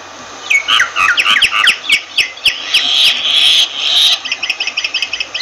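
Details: Myna chattering rapidly in a dense stream of clipped, slurred notes, swelling into a harsh rasping passage before breaking into evenly spaced, repeated chip notes.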